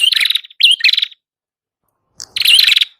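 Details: Prenjak kepala merah prinia singing to lure birds: two quick buzzy trilled phrases with a hooked whistled note, then a silence of about a second before a final loud rattling burst.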